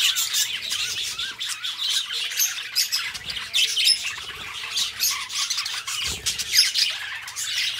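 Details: Two budgerigar companions singing and talking: nonstop high, grating warble mixed with short whistled chirps and squawky notes, broken by a few soft low bumps.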